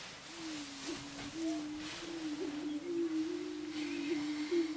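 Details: Low, continuous moaning drone from Greater prairie chickens displaying on a lek at Switzer Ranch, Nebraska, in 2011. Several overlapping hums waver slightly in pitch, with faint high squeaks above.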